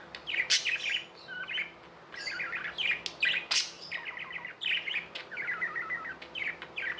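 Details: Pet budgies in a busy chorus of quick chattering chirps and warbles, short note trains repeating every second or so, punctuated by sharp high clicks and squeaks.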